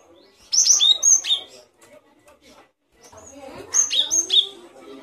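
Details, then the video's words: Great tit song for training songbirds: two phrases of high, piercing whistles. Each phrase holds several down-slurred notes in quick succession, and a quieter gap lies between them. Faint lower notes sound in the background. "Suara burung gelatik batu"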